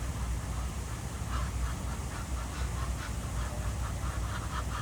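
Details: Ducks swimming at Jardin aux Canards in Monaco on a morning, giving a run of short nasal quacks that start after a quiet opening and repeat irregularly, over steady low rumble and soft water ambience.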